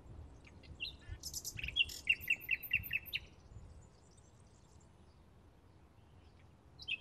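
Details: A Bluethroat recorded in May 2016 delivers a phrase of buzzy chirps followed by a fast series of six clear, ringing repeated notes, then falls quiet with only faint distant chirps.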